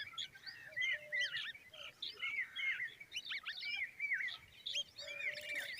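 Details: Common babbler babies stand by their mother and chatter in bursts of shrill, slurred chirps that keep up almost without pause, with a faint lower whistle now and then.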